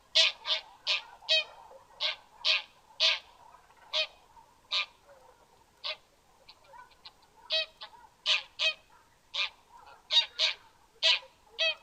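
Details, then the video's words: Goose calling with loud, brassy honks repeated in an uneven series, a softer stretch in the middle before the strong honks resume. "SONIDO DE GANSO"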